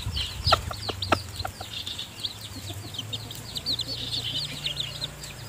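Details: Mother hen feeding newly hatched chicks in her nest: two loud clucks and a few softer ones in the first two seconds, then an unbroken stream of high chick peeps over a low hum.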